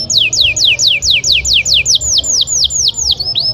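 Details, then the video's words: Canary singing for training other canaries: a steady run of clear falling whistles, about four per second, each sliding sharply from high to lower pitch. "MASTERAN BURUNG KENARI GACOR"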